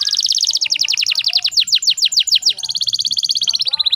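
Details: A canary hen in breeding condition, used to stir males into song, gives a rapid run of sweeping chips that slows into longer falling notes, then switches to a fast even high-pitched trill.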